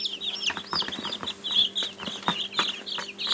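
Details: Young chickens in a group give a busy chorus of high, thin peeps, many short up-and-down cheeps overlapping, with scattered soft taps and scratching clicks and a faint low steady hum underneath.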